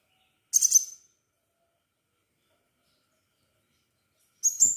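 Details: Short bursts of high, tinkling twitter from a crimson sunbird: a quick cluster of sharp notes, a long silence, then another brief shrill burst starting.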